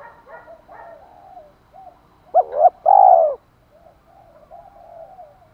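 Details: Spotted dove, a cooing call used to provoke a male: soft murmuring notes, then a sharp double coo and a long loud falling coo, followed by quieter low cooing.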